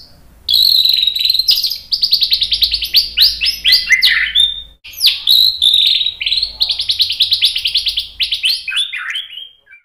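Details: White-rumped shama song used as a provocation for other birds: long, fast, high sequences of buzzy repeated notes with a brief break midway, ending in softer trailing chirps.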